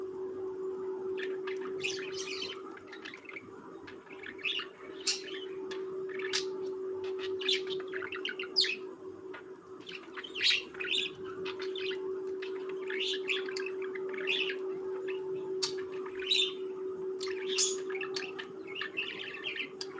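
Budgerigars chatter in a busy flock, with quick high chirps and squeaky warbles overlapping throughout.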